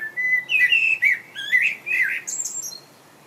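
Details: Singing common blackbird perched in England: a sequence of smooth, flute-like whistled notes rising and falling in short bursts, then a squeaky high-pitched trill that trails off into quiet.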